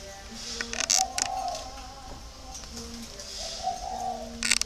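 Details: Captive adult spotted doves coo at about 9 a.m. while a flock of young doves sunbathes in a dove yard in Ba Vì, Hanoi. The soft, low, hollow notes overlap as several birds call together, with brief high chirps from small birds.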